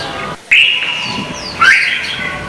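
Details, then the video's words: Lure song of a red-whiskered bulbul in a Vietnamese singing contest: after a hush, a long loud whistled phrase holds steady, then a rising, sliding note and a second strong phrase, with a final upward flick. "Chào mào hót đấu hay nhất việt nam"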